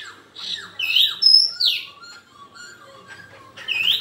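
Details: Black-throated laughingthrush giving a fighting song: loud, clear whistled notes with rising and falling slurs, several bright phrases in quick succession, then softer thin notes and a final rising whistle.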